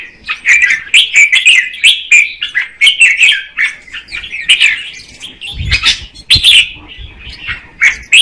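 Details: A female red-whiskered bulbul sings to excite the male: rapid, chattery whistled notes in a dense flowing series, one louder sharp burst partway through, then the warbling continues.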